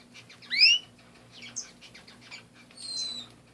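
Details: Canaries kept as pets give a single bright upswept chirp early on, then quieter fluttery twitters and a thin high whistled note toward the end, over low background hum.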